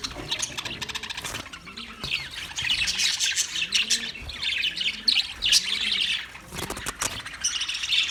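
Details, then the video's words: Flock of budgies, recorded 9 March 2024, chattering in a continuous high warbling stream of chirps and rasps, with a lower, softer repeated swooping tone faintly beneath and a brief lull near the middle. "Relaxing Sound Of Budgies"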